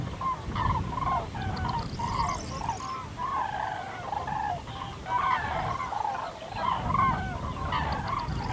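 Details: Several common cranes (Grus grus) give loud, rolling trumpeted calls that overlap in an uneven chorus, over a steady low rumble of wind.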